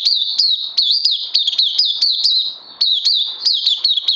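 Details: Oriental white-eye, or Puteh, in a 31 May 2020 recording, delivers a bright, high-pitched twittering song of repeated downward-flicking notes at a brisk, even pace, dipping briefly in loudness midway.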